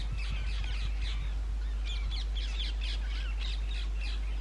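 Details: Indian ringneck parakeets nesting in holes of old railway bridges in summer breeding season give steady runs of harsh, arched squawks throughout, rather faint against a constant low rumble.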